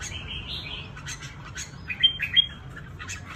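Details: Red-whiskered bulbul from Cao Bằng, Vietnam, a trap-fighting bird: bright chirped notes near the top of the range, a longer warbled phrase at the start, then sharp emphatic chirps, over a low rumbling background hum.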